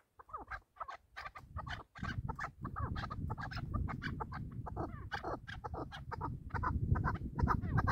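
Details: Hunting chukar partridge calling: a series of short clucking notes that start sparse and speed into rapid chuck-chuck bursts, with a steady low rumble of wind or handling noise underneath.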